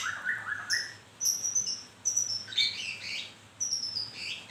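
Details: Song of a white-rumped shama in moult: a low whistled opening, then thin high piercing notes and rapid chattering bursts, phrases spaced about a second apart over quiet background hum.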